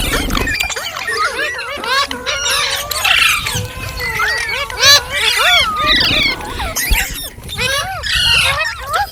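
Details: Rose-ringed parakeet, called green parrot, chirping steadily: many looping, squawky whistled notes crowd together over several seconds with a few louder harsh bursts.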